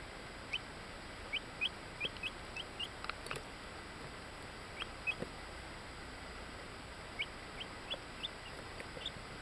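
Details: Bantam Orpington chicks, buff laced with black, ten days old, recorded in Binzen in May 2013; many soft, thin, upward-slurred peeps come in irregular runs of two to five, fairly quiet against a constant background hiss.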